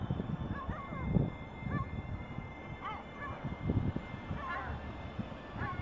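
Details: Lesser black-backed gull, a bird with eye problems: repeated nasal, wavering calls in short bursts, some in quick doubled notes, set against strong low-pitched rumble and a faint steady high tone.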